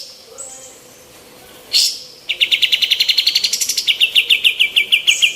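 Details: Female olive-winged bulbul in full voice, a training recording for other birds: a single loud burst, then a long, fast string of repeated chip notes, a brief rise in pitch in the middle, continuing steadily to the end.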